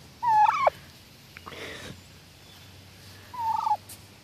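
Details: Hen turkey alarm calling toward the neighbour at 7 am one Sunday morning: two clear whistled notes about three seconds apart, each level then sharply falling, with a brief rustling noise in between.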